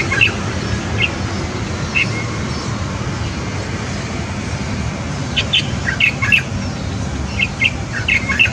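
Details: At a balcony nest, light-vented bulbul parents sing while feeding their two nine-day-old chicks. Crisp short chirps sound about once a second early on, then a denser chatter of paired notes follows. Constant low traffic drone underneath.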